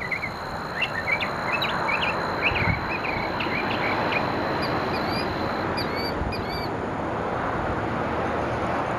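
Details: Mockingbird singing on an October evening, 6 October 2013 at 17:30: short sharp chirps and quick upslurred notes in a scattered series, partly buried under loud steady background noise.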